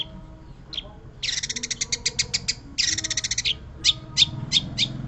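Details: Song of a long-tailed shrike: a scratchy note, then two long fast rattling trills, followed by a run of separate sharp, evenly spaced chips, with low hum in the background.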